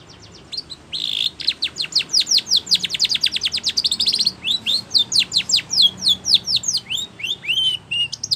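A Spanish Timbrado canary sings a fast, unbroken run of high, sharp chirps and rolling trills, the notes sweeping downward in quick succession with barely a pause.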